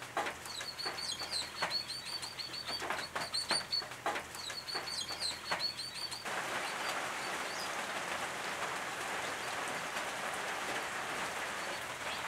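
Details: Brown treecreepers, eastern subspecies, at a nest box in the Capertee Valley, NSW, late August 2018; clusters of high, clipped notes for six seconds, then a steady rushing noise takes over.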